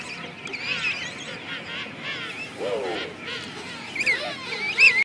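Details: King penguin (Aptenodytes patagonicus), juvenile calls.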